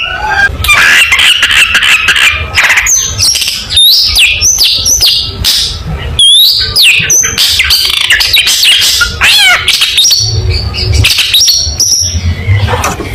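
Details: Long-tailed shrike giving a varied, energetic competition song used for training other birds: a rapid jumble of sliding whistles, harsh chatter and squeaky upslurred notes, nearly continuous and loud, with brief gaps.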